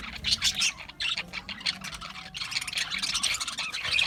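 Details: Several budgies chatter in a softer, busy stream of high twittering chirps and brief squawks, rising in loudness toward the end.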